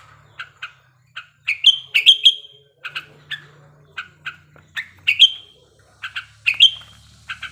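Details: Sooty-headed bulbul in breeding condition, played so birds sing sooner; steady chirps with repeated bright whistled flourishes and a faint low hum.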